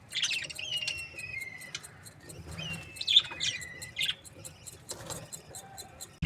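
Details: Chirping from happy budgerigar breeding pairs: thin drawn-out whistles and scratchy chattering chirps mixed together, with a faint steady ticking through the background and a knock at the very end.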